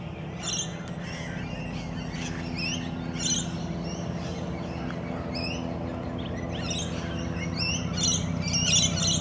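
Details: A pair of long-billed corellas left behind by their flock at the Maribyrnong River give harsh, screeching squawks in quick overlapping bursts over a steady low mechanical hum.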